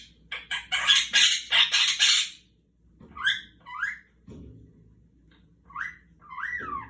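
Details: Indoor pet Quaker parrot at play with its owner in a peek-a-boo game, opening with a loud burst of harsh rapid squawks, then sharp rising and falling whistled notes repeated in short pairs.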